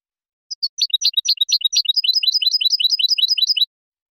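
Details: Clean goldfinch song for training juveniles and competing: a few opening chirps lead into a rapid, steady string of bright, tinkling twitters lasting about three seconds, no background noise.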